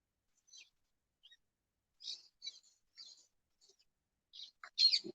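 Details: Escaped parakeets that have made their home in the trees along a walking path give short, harsh, high screeches in scattered bursts, ending in one louder squawk, with a brief human voice at the end; parakeet.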